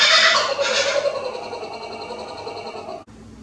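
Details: Kookaburras at Toogoom calling loudly, a harsh, raucous chorus of rapid repeated cackling notes that starts strong and gradually fades before cutting off abruptly.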